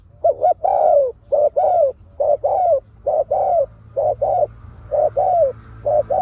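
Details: Spotted dove kept as a decoy for trapping wild doves, giving steady low coos in pairs, a short note followed by a longer downslurred one, repeated about once a second.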